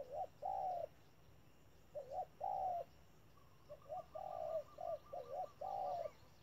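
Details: Spotted dove used as a caged decoy at a trap, giving its urging 'thúc' call: low mellow coos in short bursts of two to four notes, with pauses between phrases and faint higher twitters behind.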